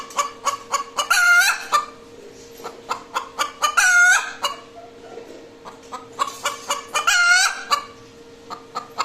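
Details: After laying an egg, a hen cackles in repeated bursts: runs of quick clucks each ending in a loud, drawn-out rising squawk, three cycles in nine seconds, steady background hum.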